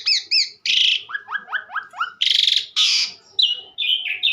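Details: Energetic song of an Asian pied starling: paired high whistles, a rasping burst, a run of four rising slurred notes, then loud harsh buzzy bursts and descending whistled phrases.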